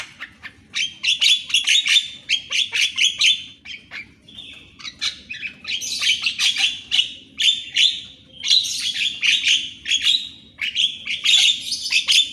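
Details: Javan myna singing at morning, recorded to train captive mynas. Dense, continuous chatter of harsh grating phrases mixed with whistled notes, delivered in loud overlapping bursts with only brief gaps.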